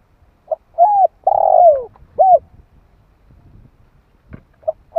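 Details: Spotted dove calling in 2021, used to rouse decoy birds and train young ones: one full phrase of a brief note, an arched coo, a long harsh falling croo and a short coo, then the next phrase starting.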